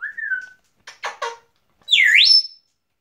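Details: Pet female African grey parrot whistling: a clear note gliding slightly downward, then three short raspy bursts, then a loud swooping whistle that dips sharply and rises again to a high held tone; quiet room otherwise.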